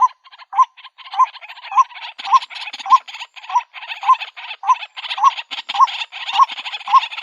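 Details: Female white-breasted waterhen calling for a mate, repeating a short upslurred honk roughly twice a second over a continuous raspy, crackling chatter.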